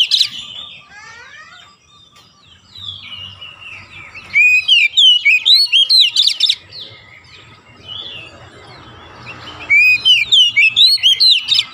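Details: Oriental magpie-robin (kacer) pouring out 'gacor' chatter to make reluctant birds sing: softer varied warbles first, then two loud rushes of quick, rich whistled and trilled notes, with a low rumble between.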